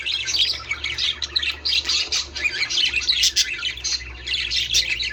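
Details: Budgerigars warbling to prompt mating: a busy, unbroken stream of twittering, chirping and grating notes with loudness rising and falling, over a faint low hum.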